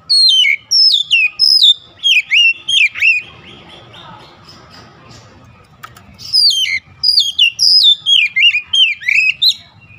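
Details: Oriental magpie-robin singing: loud whistled phrases sliding down from high to mid pitch, repeated in rapid runs, with a quieter gap in the middle before the bright descending whistles resume.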